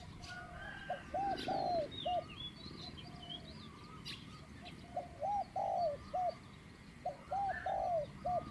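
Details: Spotted dove, a captive decoy bird used for dove trapping, giving a mid-pitched 'kuk' coo. Short hooked coos come in clusters of three or four, with pauses between groups. Faint chirps from small birds sound higher up.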